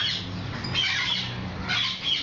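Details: A hand-tame cockatoo, a Moluccan or possibly a medium sulphur-crested, gives harsh, raspy squawks, two or three loud grating bursts in about two seconds, over a faint low background rumble.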